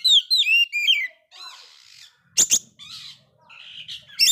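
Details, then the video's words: Very vocal Oriental magpie-robin that failed its moult: a burst of bright whistled sweeps, then softer scratchy chattering, two sharp clicking notes and a final high whistle. "Kacer gagal mabung ini sangat gacor sekali"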